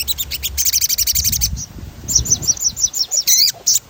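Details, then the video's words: Sogon rolling song used to prompt singing: a rapid, pulsing trill of high notes for over a second, then arched whistled chirps repeated about every quarter second and a final buzzy sweep. "Suara ransangan bunyi sogon gacor ngerol"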